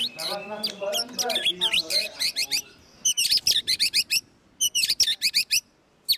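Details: Contest white-rumped shama at the Plaza Cup 2015 in Semarang, Indonesia, delivering rapid series of high, sharp chattering notes in three bursts of about a second each, with faint lower voices at the start.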